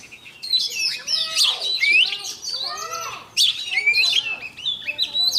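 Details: Decoy oriental magpie-robin in a morning training song to rouse other birds; varied whistles, buzzy sweeps and fast rising-falling slurs poured out continuously, loud and close.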